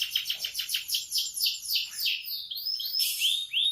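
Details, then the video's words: Canary singing in the morning: a fast series of descending sweeping notes repeated about four times per second, followed by thin upward-slurred whistles and a rising tone. "Kicauan kenari di pagi hari"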